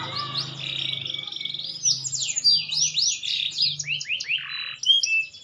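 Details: Song of a green canary growing into adulthood, opening with a sustained trill before bursts of fast descending whistles and rolling trills that shift pitch, over a faint low hum.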